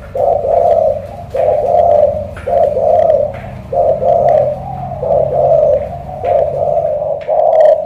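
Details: Cà Mau spotted dove, a loud thổ cọp with a pigeon-like tone, repeating short, husky, low coos in an even series of about nine phrases, with scattered clicks and knocks around them.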